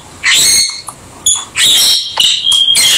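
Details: Pet rosy-faced lovebirds give loud, shrill screeching calls with ringing overtones, three long harsh bursts and a short squeak between them, while playing together.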